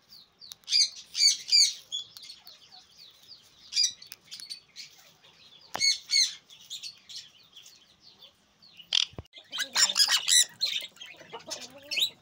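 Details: Captive sun conure breeder pair ahead of the 2024/2025 breeding season; bursts of loud, harsh, rapidly repeated screeches and chattering notes, coming in clusters separated by brief pauses, with a sharp knock partway through.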